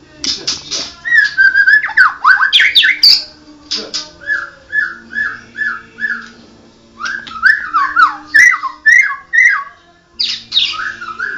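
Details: Mottled Medan white-rumped shama singing a long varied sequence: sharp high notes, a run of five evenly repeated mellow downslurred whistles, then more rising and falling whistles and clicks; steady low hum in the background.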